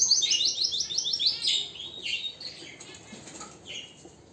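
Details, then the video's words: Canary song: a fast, even trill of sharp, high chirps for about one and a half seconds, then a few scattered whistled notes and a short rising phrase fading away. "اقوى تغريد طائر الكناري"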